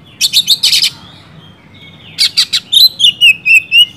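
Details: Oriental magpie-robin singing energetically, meant to spur idle magpie-robins into singing: two clusters of harsh rasping notes, then a run of clear, slightly falling whistles repeated in quick succession.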